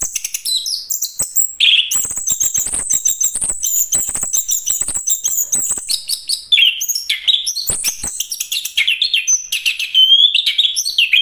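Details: Anis kembang, the chestnut-capped thrush of Southeast Asian forests, pours out a long continuous high warble of whistles, trills and buzzy phrases mixed with many sharp clicks, with several lower slurred whistles standing out.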